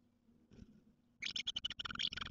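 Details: House martin pair, among the first of the season to return, visiting an artificial nest on the morning of 16 April 2023; after a quiet second with low hum, a burst of rapid, dry chirping twitters fills the rest.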